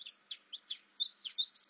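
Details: Domestic chicken chicks calling during hatching, with cracks showing on the eggshells; a quick series of high, thin peeps and short downslurred chirps, about eight notes in under two seconds, ending in a louder piping note.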